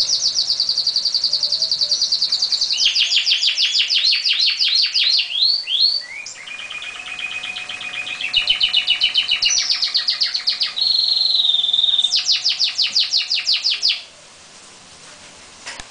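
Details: Canary song duel between two birds: loud high rolling trills, rapid repeated note series, a flat whistled tour and more fast trills, ending abruptly in quiet.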